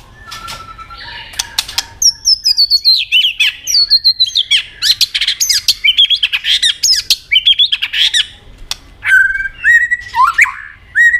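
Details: White-rumped shama, a caged bird, singing competitively in many varied voices: rapid run of loud whistled, slurred and chattering phrases jumping between high and mid pitches, with clicking notes, near-continuous over about ten seconds.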